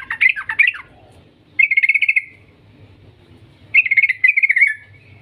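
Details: Yellow-vented bulbul, a lively long chattering song used as a lure to prompt other bulbuls to sing: three bursts of buzzy, bubbling notes near the upper-middle range, each about half a second, separated by short pauses, over faint low background hum.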